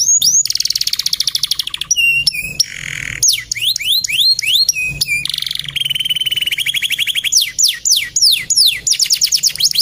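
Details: Gacor male canary pouring out a varied song: rapid rattling trills, sharp whistled slurs, buzzy harsh notes and steeply falling whistles in quick succession.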